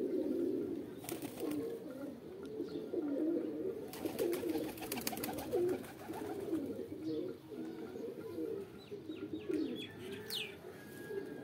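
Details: Pigeons coo in overlapping rolling phrases, apparently indoors. Sharp clattering bursts, like wing flaps or knocks, come early on and again mid-clip, and a high chirp sounds near the end.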